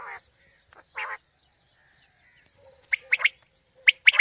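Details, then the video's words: Quail calls used in the morning to lure quail for hunting: two harsh, buzzy nasal notes early on, then quick clipped two- and three-note bursts near the end, with a faint low tone between them. "Quail Calling 2020 | Batair Ki Awaz suba ki shikar Ki liye"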